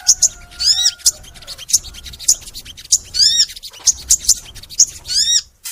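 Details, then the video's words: Long, lively crimson sunbird song used as a master recording for sunbirds: high sharp ticks alternating with quick up-and-down slurred whistles, phrases repeated roughly every half second to a second, and a faint steady lower tone early on. "MASTERAN SOGON FULL NEMBAK! Suara Sogon Gacor Panjang"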